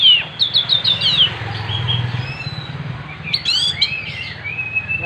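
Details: Oriental magpie-robin singing gacor with its tail spread: a fast run of descending high chirps, a quieter stretch with a long whistle, then sharp clustered notes and a sweeping slur over a low steady hum.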